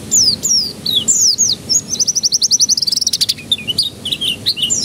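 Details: Singing canary played as a lure to make young canaries start their song: falling whistled notes leading into a long fast trill, then chattering mixed phrases, continuous and loud.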